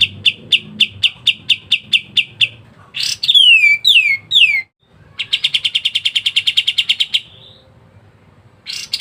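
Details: Pied triller (kapas tembak) in dense ngebren rapat song used as a master song for songbirds. A steady run of clipped repeated notes leads into three falling slurred whistles, then a rapid buzzy trill that fades out.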